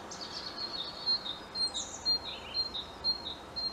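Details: European robin singing from a treetop: clear, high, thin notes repeated roughly twice per second in a fluid, slightly wavering phrase, loud and close over faint background noise.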